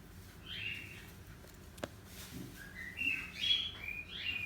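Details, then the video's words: Pet cockatiel singing indoors: short whistled chirps, some rising, others sliding down, quickening into a closer run of notes near the end. "Burung Parkit Australia / Cockatiel"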